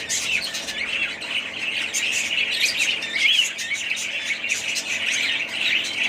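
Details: Pet budgerigars in a family flock produce a thick wash of twittering and warbled squeaks, loudest around the middle, with scattered clearer whistled notes rising above the chatter.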